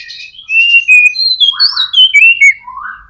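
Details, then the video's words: Clear whistled notes from a white-rumped shama, a persistent singer used to prompt other shamas to sing: high pure tones stepping downward, finishing with a lower rising slur. "MURAI BATU GACOR AMPUH BUAT PANCINGAN MURAI BATU AGAR CEPAT BUNYI"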